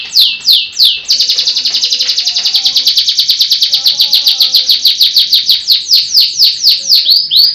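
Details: A Russian-type canary from Pemalang, Central Java, sings: a few high, falling sweeps, then a long, fast rolling trill of about nine notes a second, easing back into slower downslurred notes, with faint low tones beneath.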